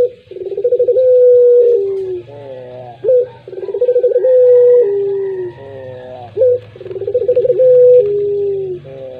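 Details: Pelung-style song of a collared dove, repeated three times: a brief upward note, a rapid rolling coo, a sustained steady hoot falling at the end, then a reedy, nasal harmonic phrase.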